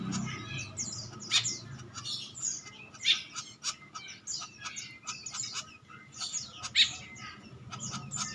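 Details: Male green woodpecker, a kept bird being groomed as a master songbird: a busy stream of short, sharp high chirps and ticks at irregular intervals, with a faint steady whine beneath.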